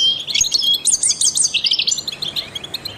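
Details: Trained European goldfinch singing to stimulate other songbirds, opening with a whistle and then a rapid rattling run of repeated chirps, about three per second, that fades into softer twitter.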